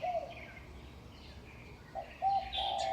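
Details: Early-morning birdsong at 5:25 am in May 2019 from birds perched on utility poles in a Taipei neighbourhood: scattered high chirping notes, then a low mellow cooing phrase returning near the end, with constant low rumble beneath.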